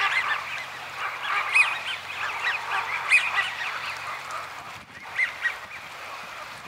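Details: American wigeon, a rare winter visitor that often mixes with Eurasian wigeon flocks, at Donggang, Taiwan, 30 November 2020; bursts of overlapping arched whistles rise and fall, with a short lull before two final notes.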